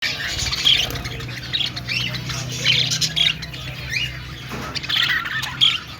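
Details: Budgerigar flock in an aviary at a pet store: constant overlapping high chatter and squeaky chirps, louder bursts every second or so, over a steady low machine hum.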